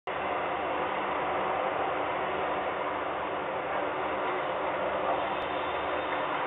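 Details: Loud, even broadband roar like a passing train or machinery, steady throughout, with no animal calls.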